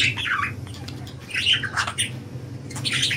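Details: Budgerigars enjoying freedom, pouring out harsh, squawky chattering notes in quick, irregular bursts roughly every half second, over a constant low hum.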